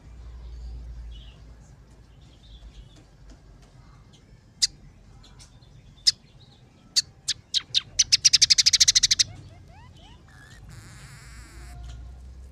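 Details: Scaly-breasted munia song from an emprit peking tutor track with house sparrow, red siskin and canary fill-ins: sparse sharp ticks that speed into a dense rapid trill, then falling slurs and a buzzy rattle over a quiet background.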